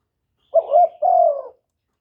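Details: Decoy spotted dove cooing to draw in wild doves: one phrase of a short, bumpy double coo followed straight away by a drawn-out, gently falling hoarse coo, with quiet surroundings.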